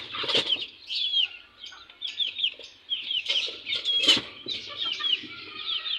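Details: Fresh chicks squabbling after new birds join the group; rapid, shrill, downslurred peeps repeat in close runs, broken by sharp flutters and scuffles.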